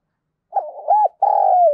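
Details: Spotted dove used as a decoy to provoke wild doves, its voice harsh and scolding in the thổ style; one phrase of two quick rising-falling coos and a long, slightly purring coo that falls at the end.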